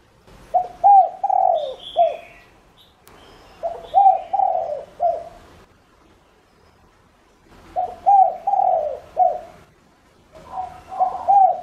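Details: Caged spotted dove lure calling to bring in wild doves: mellow low coo phrases of about four notes, the long middle note sliding downward, repeated roughly every three to four seconds with pauses, and a faint high chirp at the start.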